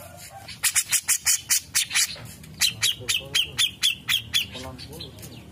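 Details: Master song of a grey-cheeked bulbul for tutoring songbirds: brisk series of loud, scratchy repeated notes in two runs separated by a brief gap, with soft low background rumble.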